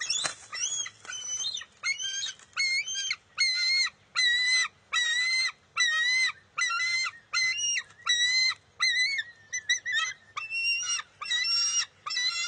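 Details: Bald eagle eaglet, June 23, 2021, taking back a fish from its mother at the nest. A long run of short, bright, wavering squeals comes more than once a second, steady and persistent throughout.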